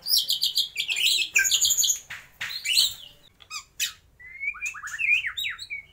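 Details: Energetic white-rumped shama song imitating lovebird, kapas tembak and pijantung gunung: harsh, buzzy high chatter at first, then a pause of scattered clicks, ending in clear rising whistled notes and slurred phrases.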